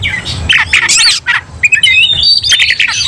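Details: Oriental magpie-robin's brief burst of aggressive fighting song: harsh, noisy rasps at first, then a run of thin, rising whistles and buzzy notes, loud and close.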